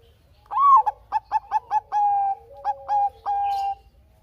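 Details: Bangkok zebra dove in full song, kept as a lure bird for other doves: a swelling opening coo, a quick run of four staccato notes, then long sustained coos broken by short clipped ones, clean and loud.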